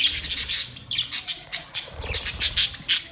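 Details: Budgies squawk and chirp in quick, harsh high bursts, roughly three per second, each short and scratchy.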